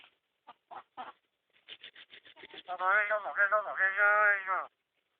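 A myna gives a run of short, dry clicks and chuck notes, then a loud, nasal, wavering, almost speech-like warble lasting about two seconds.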